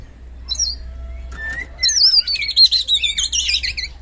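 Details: Oriental magpie-robin singing loud 'gacor ngeplong' song, used to make a lazy kacer respond: a few scattered high notes and a low whistle, then a rapid rippling stream of chattering, warbled phrases.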